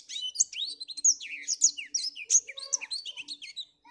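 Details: A Black-throated Canary sings actively on a cloudy morning: a fast, unbroken stream of high, varied twitters, trills and quick slurred notes, with a faint low hum underneath.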